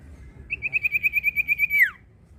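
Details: Common iora song of about twelve rhythmic whistled notes, each a small rising pulse on one pitch, the last note drawn out and sliding steeply down.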